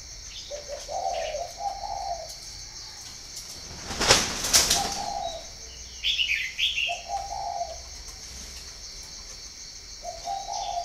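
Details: Spotted dove at a breeding farm in Ba Vì, northern Vietnam, with soft coo phrases before and after a loud burst of wing flapping. High twittering notes from another bird are also heard.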